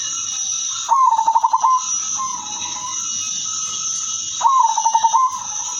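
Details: Two stuttering, vibrating coos from a female silver zebra dove used to attract other zebra doves, each dipping slightly then rising, about three and a half seconds apart, over a loud continuous high-pitched whine.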